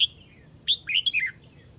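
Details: Red-whiskered bulbul from Huế summoning its flock with clear, strong chirps: a lone bright note, then a fast tumbling run of four or five downward-slurred whistles.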